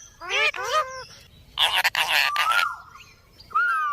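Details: Indian ringneck parakeet, a pet, uttering harmonic voice-like syllables, a burst of harsh noisy squawking, then a long flat whistle that drops away and a final rising note.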